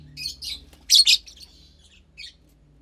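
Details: Fischer's lovebird chick about 15 days old, captive, from a lutino and pastel blue pair, giving brief harsh high chirps in scattered bursts, one louder double note near the middle, quiet room otherwise.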